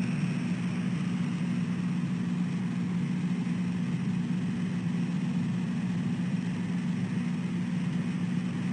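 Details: Early morning engine idling with a steady low droning hum throughout.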